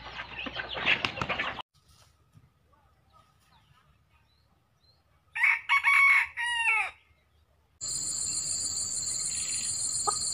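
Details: Decoy Red junglefowl gives a single harsh crow in several clipped bursts ending with a descending tail, after rustling noise and quiet; a steady high buzzing tone follows afterward.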